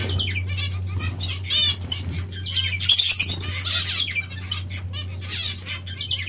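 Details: Bath-time zebra finches giving bright, nasal, harmonic chirps, denser near the three-second mark, mixed with wing flutter and splashes over a low continuous hum.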